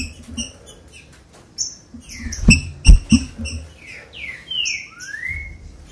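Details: ['A green-winged saltator sings, a clip used to get captive birds singing. Chirps and a rising slur lead to two long whistled glides, one falling and one rising, over persistent clicking and a couple of loud knocks.']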